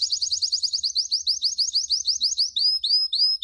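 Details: Canary song used as a 2016 training recording for chicks. A quick series of rising whistled notes repeats about three times a second, then changes to slower upward-sweeping slurs.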